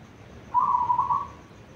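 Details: Local zebra dove from Tuban, singing before dawn: one soft, rapid cooing phrase of staccato, rolled notes at even mid pitch, lasting under a second, over quiet background hiss.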